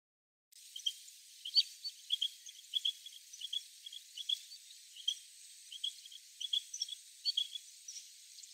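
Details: Wild pair of Japanese quail (Coturnix japonica) giving an unusual call: soft, high chirping notes in short clusters about every half second over a faint hiss, unlike its usual "ajapā" call.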